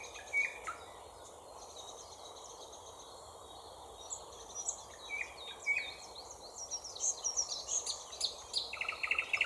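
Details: Thrush nightingale song built from repeated whistles and clicks, each phrase repeated several times: sparse high notes at first, then rapid trills and clicking series growing louder and denser toward the end.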